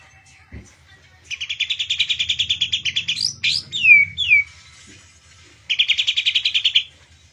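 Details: Captive white-rumped shama described as in excessive breeding condition; a buzzy rattling trill of about twenty pulses, then sharp clear downslurred whistles, a pause, and the same rattling trill again, in a quiet indoor setting.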